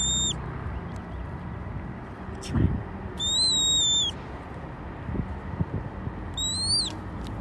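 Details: A wild male red-tailed hawk on May 7 gives begging calls for food: three high, thin, whistled cries, each held and slightly rising, about three seconds apart, over low rustling and a soft thump.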